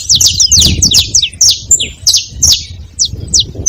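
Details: Saffron finch at a feeding spot, sounding quick strings of bright, high downward-sliding chirps, crowded at first and then spaced out into single clear notes; low rumble in the background.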